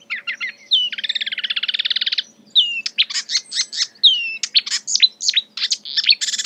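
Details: Song of a marsh warbler (Acrocephalus palustris) mimicking other birds: a long even rattling trill, followed by a quick string of varied whistles, slurred notes and sharp chips, with a faint low hum in the background.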